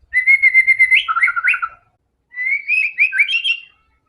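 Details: White-rumped shama, a loud singing bird used to prompt other shamas into song, giving clear whistled phrases: a steady rapid stuttered run, then bending, rising and falling notes, a pause, and a second varied whistled burst.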